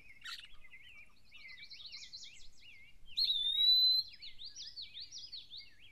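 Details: Eastern wood-pewee in a deciduous forest in Maine, perched high in a tree: one clear, loud, drawn-out whistled note, slightly rising and lasting nearly a second, set against a constant background of faint, busy chirping and warbling from other birds.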